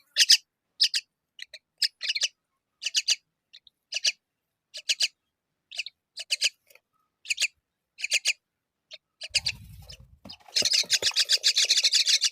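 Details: A myna feeding fig to her chicks: spaced rasping notes about every half second, then a dense, insistent burst of rapid harsh calls after a brief low rustle.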